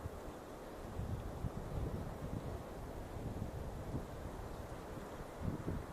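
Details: Only continuous low wind rumble and microphone buffeting are heard at Coll de Pal, with no animal voice.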